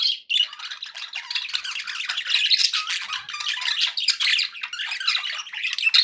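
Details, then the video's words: Dense chatter from pet budgerigars played as company for other budgies, a raspy, buzzing torrent of overlapping squeaks and squawks lasting throughout, with loudness swelling every second or so. "budgie sounds for pet parakeets to make tham happy"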